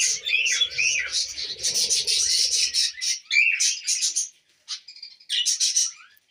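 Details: Tamed budgerigars feeding on millet, loud bursts of buzzy, rapid chattering and chirps with brief gaps of quiet, a faint low hum early on.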